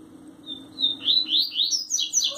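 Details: Double-collared seedeater (coleiro) belonging to a keeper from Sergipe, Brazil, delivering a tui tui zel zel song: thin high whistles leading into a steady series of bright upward-sweeping notes, faint low hum underneath.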